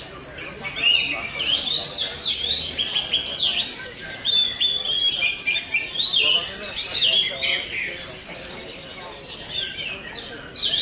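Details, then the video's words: Orange-headed thrush, a caged competition bird that won outright at the Jateng Fest 2023 contest in Semarang, Indonesia, singing a dense, fast stream of high whistled and chattering phrases amid crowd noise and many other songbirds. "Anis Merah "RA UMUM" Teleeer Parah"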